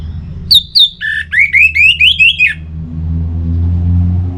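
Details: Orange-headed thrush (anis merah) sound played to rouse birds into full singing: two sharp high notes, then a quick run of about seven rising, slurred, squawky whistles over two seconds, with a steady low hum throughout.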